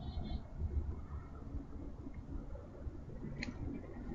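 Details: Low muffled rumble and hum, with one brief faint click and no animal calls.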